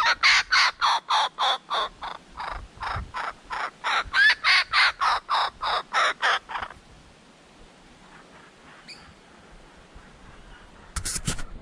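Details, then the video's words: Juvenile laughing kookaburra in a tree in Belair National Park, South Australia, on 18 January 2020, practising its laugh: about twenty harsh, rasping barks, three or four a second, like a sore throat, then a faint chirp and a brief clatter. "Juvenile Kookaburra Learning How to Laugh"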